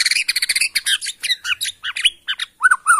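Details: Kalimantan forest-origin white-rumped shama from Borneo in a fast outpouring of song aimed at stirring other shamas: rapid chattering notes and trills, ending in two clear looping whistles.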